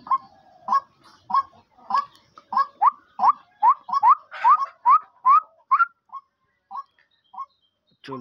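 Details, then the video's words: Captive female partridge, a hunting decoy hen said to call day and night: short, upslurred, mid-pitched notes about twice a second, building in strength, then thinning to a few spaced calls. "শিকারি মুরগির ডাক"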